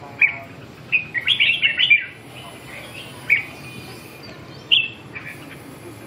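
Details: Red-whiskered bulbul giving short bright whistled phrases, a quick cluster early on then spaced single notes, over a steady low background rumble.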